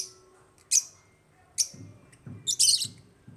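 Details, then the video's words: African lovebirds kept as pets in an aviary, giving short, sharp, high chirps in brief bursts, three separate calls then a denser squawky cluster near the end, over a faint low background hum. "AFRICAN LOVEBIRDS CHIRPING SOUNDS"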